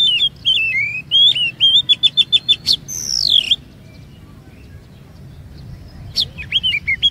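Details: Oriental magpie-robin song used as a lure to prompt other magpie-robins into long phrases and varied notes: clear whistled notes, a fast run of sharp repeated chips, a long falling whistle, then a pause and renewed whistles.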